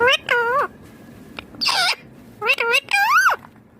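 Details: Pet ringneck green parrot talking: a few clipped, speech-like syllables with bending tone, one raspy burst, and a final drawn-out rising then falling note.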